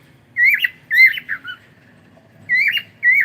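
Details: Harsh, rising screeches from a pet cockatiel, two quick bursts close together, a pause, then two more loud squawking calls.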